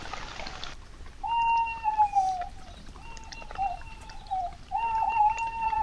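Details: At night in woods near a feeding table, with mice about after nearby fields were cut, an owl in the background gives three drawn-out, quavering hoots, each about a second long, steady in pitch, over a faint hiss.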